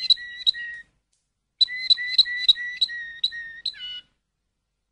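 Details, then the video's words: Waterslager (Malinois) canary singing: clear whistled notes in two-tone pulses, a bright upper tone over a lower one, in short phrases with a pause and a brief descending flourish near the end. "تغريد كناري المالينوا (الوتر سلاجر)CD Chant canari malinois"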